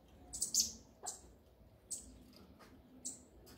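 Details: 'Do grego' mexida of a coleiro (double-collared seedeater): a quick pair of shrill high notes, then a few isolated thin chips spaced about a second apart, background quiet.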